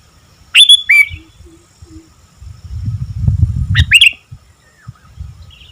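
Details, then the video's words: Sooty-headed bulbul singing actively: two sharp, bubbly chirped phrases, the first near the start and the second about three seconds later, each quick and sliding, over a low rumbling background noise. "Burung Kutilang Gacor"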